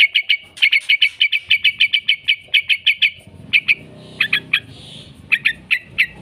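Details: Yellow-vented bulbul chattering in 'ngekek' style as a lure for other bulbuls: a rapid, regular string of bright clipped notes, then sparser scattered notes toward the end over a low murmur.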